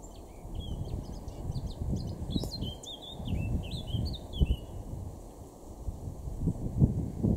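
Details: Male Eurasian Blackcap (Sylvia atricapilla) in a garden in Weener, East Frisia, north-west Germany, April 2024: a varied, rapid warble of clear whistled notes over heavy low rumbling background noise.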